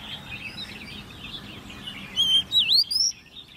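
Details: Caged, hand-raised ten-month-old Oriental magpie-robin in competition singing: a short burst of loud, clear whistled notes, some sliding up and one dipping, over steady high chatter from many other birds.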